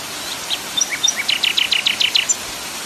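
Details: Common nightingale song over a rushing waterfall background, opening with scattered high whistled notes that give way to a quick series of about eight sharp, repeated chirps.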